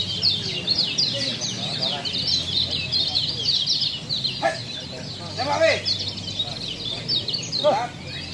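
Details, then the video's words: Lombok kecial, recorded as tutor song for caged birds, pours out quick high chattering twitters, with some louder lower notes near the end against a low hum. "masteran kecial lombok"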